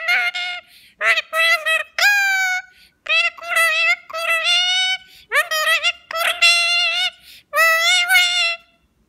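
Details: A parrot named Sonu chatters in nasal, voice-like syllables, about seven short bursts in nine seconds, some level and some rising in pitch, with no other sounds.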